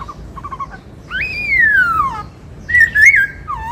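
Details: White-cheeked laughingthrush, a kept songbird, singing in the 'bắt cô trói cột' style: long clear whistles sliding down from high to low, then a brief wavering whistled phrase, in a quiet setting.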